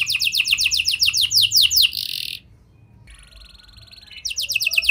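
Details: Canary song in prenjak and lovebird style, used to coax a non-singing canary to sing: fast rattling trill for two seconds ending in a buzzy burst, a near-silent pause with a faint thin tone, then the rapid trill resumes.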